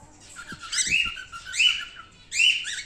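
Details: Normal grey (wild-type) male pet cockatiel uttering three loud, harsh, rasping squawks, each a rising buzzy call lasting about half a second, with faint soft taps in the background.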